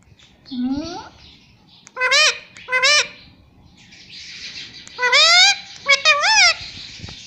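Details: Pet Indian ringneck parakeet talking, producing clear nasal harmonic syllables in two bursts, a pair of rising-falling notes, then a quick cluster of four, with faint background hiss between.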